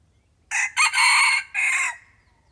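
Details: Crowing of a red junglefowl drawn in by a decoy bird: a brief first note, a broken second note flowing into a long held crow, and a separate falling last part, all loud and rasping over near silence.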